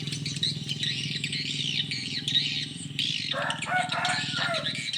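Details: Swiftlets responding in the evening at a small swiftlet house, giving dense high chirping and twittering calls over a steady low hum.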